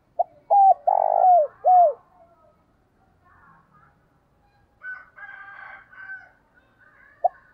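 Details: Spotted lure dove cooing in the 'thúc bổi' and 'gáy gọi' manner, 2022: a quick three-coo phrase with a long rough middle note, followed by quieter, higher scratchy calls and a brief note at the end.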